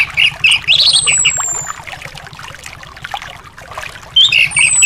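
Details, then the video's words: Anis thrush song as therapy for a bird that will not sing. Warbled whistles open and close the passage, with a thin high whistle overhead and steady trickling noise between. "terapi anis males bunyi/anis macet"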